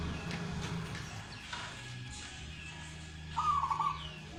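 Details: Local zebra dove, described as an eager, prolific singer, gives one short, loud, rapidly pulsed rolling coo lasting about half a second near the end, over a steady low hum and faint background sounds.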